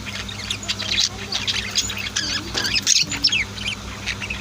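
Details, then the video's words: A household group of budgies and lovebirds fills the air with constant high chattering, scratchy chirps and short squawks overlapping throughout, over a steady faint low hum. "Sweet Bird Chirping Sounds | Relaxing Voice of My Pet Birds"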